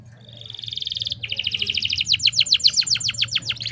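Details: Canary hen in breeding condition, her calls used to prompt males to sing; a steady high buzzy trill, then quicker repeated descending whistled notes that grow louder, with a low hum beneath.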